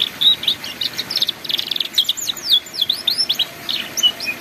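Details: Ngeriwik song of a canary, a master recording for young birds learning to sing: rapid high chirps grade into a lively sequence of fast, swooping whistled notes, repeated several times a second without pause.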